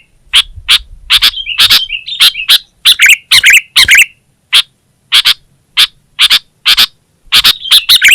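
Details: Sooty-headed bulbul (kutilang) from Indonesia in energetic song: clusters of sharp chirps and gliding, slurred warbles, then a looser series of evenly spaced single chips before warbling resumes. Little background noise.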